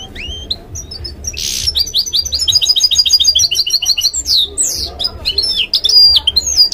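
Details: Canary-goldfinch mule in full song: dense, fast series of bright whistled notes and sweeping slurs, one harsh buzzy burst early, rapid repeated chirps, and a faint low hum behind.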